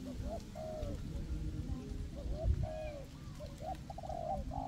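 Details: Spotted dove decoys in a forest, a raised bird and a ground bird luring wild doves for capture; low hooting coos in quick groups and longer falling notes, over constant low noise.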